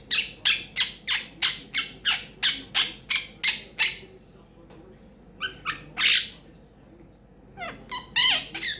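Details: Pet female Quaker parrot talking and chattering indoors; a steady series of about eleven harsh squawks roughly three per second, then scattered rising squeaks and twisting calls.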